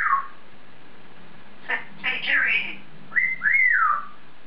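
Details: African grey parrot in its cage talking to itself indoors: a short whistle, a cluster of speech-like syllables, then a clear arching whistle that rises and slides down, with faint low hum behind.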